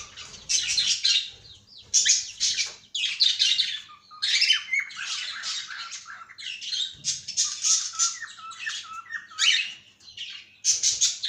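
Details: Long stretch of loud, harsh squawks and screechy chatter from a caged cockatiel, with very short gaps, in a small indoor room.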